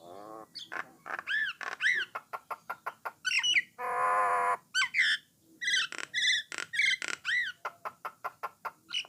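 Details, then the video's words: Song of a Jalak Nias or Jalak Coklat starling used to coax other starlings into singing: quick buzzy notes and curved whistles, a long harsh rasping burst in the middle, then more rapid chatter. "Merdunya Kicauan Burung Jalak Nias / Jalak Coklat, Memancing Jalak Lain Supaya Rajin Bunyi."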